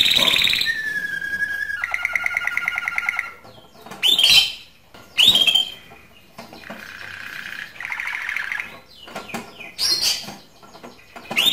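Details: Singing canary used to stimulate hens for breeding delivers varied tours: fast pulsed rolls at several pitches, bright rising whistles, and sharp high chips alternating with short pauses.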